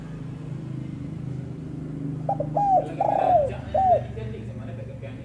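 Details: Female spotted dove giving one short cooing phrase: a soft clipped note, a longer coo, a drawn-out coo sliding downward, then a final short coo, over a low steady hum.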